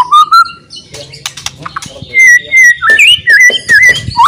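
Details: Loud song of a white-rumped shama meant to stir other murai into fighting: a clear whistle, then scattered clicks, then a fast series of bright slurred whistles repeated several times a second.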